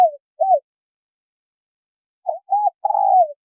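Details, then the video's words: Low arched coos from a male and female spotted dove, a lone coo then, after a two-second gap, a phrase of two short coos and a long, slightly rough falling note; no other sounds. "Tiếng chim cu gáy trống mái"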